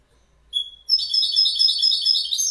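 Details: After one thin introductory note, a goldfinch launches into a continuous stream of rapid, tinkling high twitters that keeps going to the end.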